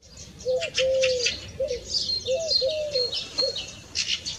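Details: Eurasian Collared Dove in Poland; males coo especially in spring and summer: soft, low hollow coos in short repeated phrases with the middle note drawn out, while thin high chirps of other small birds sound above.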